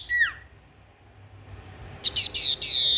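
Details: Tailorbird singing: a sharp descending whistled note at the start with harmonics, a quiet gap, then loud buzzy high-pitched notes repeated rapidly near the end.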